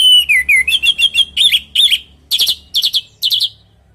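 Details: Orange-headed thrush in full natural song, used as a lure to get other birds to answer: a quick run of bright, rising whistled notes, then sharp chopped double and triple chirps repeated about every half second, with a faint low hum beneath.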